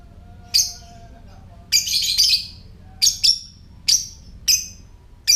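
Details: Typing-style ngetik call of a lovebird, used to prompt other lovebirds to call and come into breeding condition: shrill, clipped chirps, a short chattering burst, then evenly spaced single notes, with a faint low tone early on.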